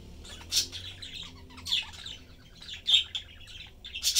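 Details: Three budgerigars kept as a family, parents and young, chattering as they eat. Busy scratchy warble with loud squeaky chirps bursting out about once a second, over a faint low rumble.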